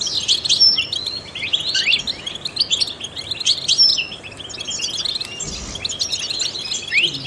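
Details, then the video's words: Continuous high twittering from a trained European goldfinch whose song is played to stimulate other songbirds, with quick chirps, sharp thin whistles and an upward slur closing the phrase. "in the wild goldfinches chirp to stimulate songbirds"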